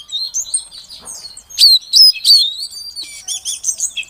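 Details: A female Oriental magpie-robin calls to prompt a silent male into song. Soft scratchy chirps build into loud clear whistles, some slurred upward, then a fast chattering run of high notes near the end.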